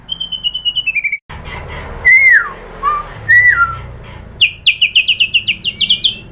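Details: Lure song of white-rumped shama (murai batu) to stir a bird into singing. A high descending run of quick notes, two loud slurred whistles, then a rapid series of sharp rising notes.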